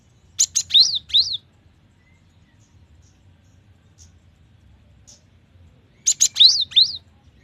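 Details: Cinereous tit, called gelatik batu, singing clearly: two matching phrases about six seconds apart, each made of rapid buzzy notes followed by two high, bouncing whistles, with quiet between them.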